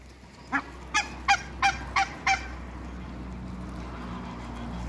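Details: African geese on a farm, meeting Muscovy ducks: a series of six loud, harsh honks spaced about a third of a second apart, then quieter background with a low engine-like hum.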